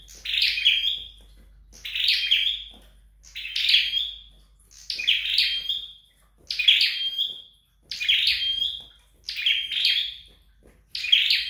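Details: Scarlet-backed flowerpecker training at home, repeating eight similar phrases about every 1.4 seconds, each a scratchy high flurry that ends in a short thin whistle, in a quiet background.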